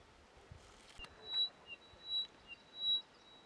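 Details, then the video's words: Upland pipit calling at Pangot, Nainital, Uttarakhand, in 2022. Three thin, steady, high whistled notes sound in quick succession, about one every three quarters of a second. A few soft ticks come before them against a quiet background. "Upland Pipit calling"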